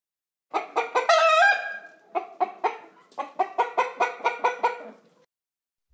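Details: Hen clucking on a farm: a drawn-out, rising cackle, then a steady run of short, sharp clucks at about three a second that slows and fades out.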